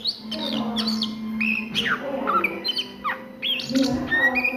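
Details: Oriental magpie-robin singing at midday with rich whistled phrases, downslurred notes and looping upsweeps, lively and varied, a faint steady tone running beneath.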